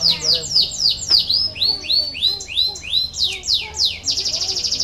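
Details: Singing canary, recorded to stimulate lazy canaries, delivering varied high slurred notes, sweeping up and down, ending in a fast buzzy trill.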